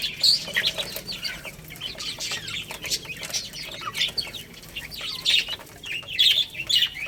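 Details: A flock of baby chicks feeding on rice chirps steadily: many short high peeps overlap, rising in louder bursts toward the end, amid constant tapping of beaks.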